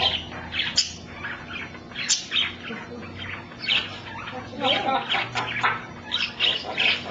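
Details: Male African grey parrot kept as a pet, producing a string of chattering, speech-like syllables mixed with sharp high chirps and squawks throughout, over a constant low household hum.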